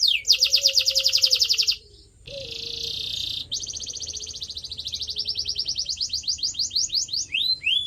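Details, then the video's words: Canary singing used to train pet birds: a loud buzzy trill, a brief gap, a rasping roll leading into a long accelerating series of sweeping notes, with a faint low tone underneath. "CANARY SINGING SOUND"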